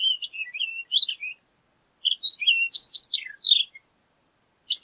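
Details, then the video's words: Horned lark song: a continuous, hurried stream of high, tinkling and slurred twittering notes in two long jumbled phrases, with a short note at the very end. "Horned Lark Bird Singing, Sound, Calling, Voice - Alondra Cornuda Canto"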